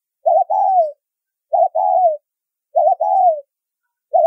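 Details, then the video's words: Spotted dove giving a soft, low "thúc rút bổi" style coo with a fine whistle-like tone: a short double note, then a longer falling coo, repeated about every one and a quarter seconds, with nothing else heard. "Tiếng Chim Cu Gáy Thúc Rút Bổi , Tông Còi Âm Quá Hay"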